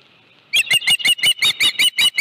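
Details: Osprey at its nest at a ranch, calling as a live fish is brought in during late afternoon in July 2018: after half a second of quiet, a rapid series of sharp, high whistled chirps repeated about six times a second.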